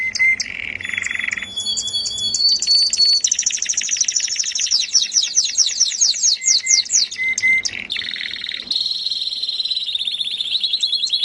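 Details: Canary in melodious song: a low rolling trill, steady high whistles, a long fast sequence of falling notes, then a dense rapid high trill to the end.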